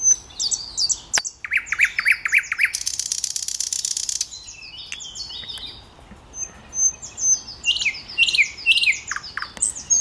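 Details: Thrush nightingale singing at Raszyn Ponds, Poland, on 8 May 2022: loud, varied phrases of sharp high whistles, a rapid rattled burst, a dry buzzy trill, then rising and falling piped notes.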